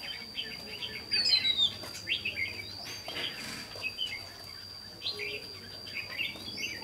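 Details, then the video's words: Red-whiskered bulbul decoy giving fighting song at a trap on 28 May 2016: short bright warbled phrases repeated in bursts with pauses, a few upslurred whistles, a constant high electronic tone and light background rustle. "Bẫy đấu chim chào mào"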